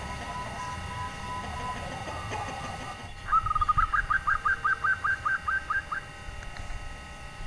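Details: Nyelir-style call of a local female zebra dove, meant to entice quiet males into calling. A rapid string of about twelve short, fluting notes rises slightly at the start and then holds steady over a faint background hum.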